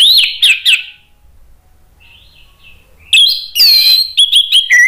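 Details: Orange-headed thrush reacting to a lure, calling back with loud ngeplong phrases: a trio of sharp whistled notes, a soft distant phrase, then a dense, energetic stretch of rising and falling whistles.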